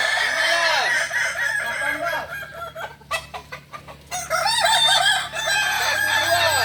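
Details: Crowing practice of a Kokok Balenggek rooster in Ampang Kualo, Solok: a loud multi-syllable tiered crow, a short stretch of clicks and taps, then a further long crow with rapid repeated notes.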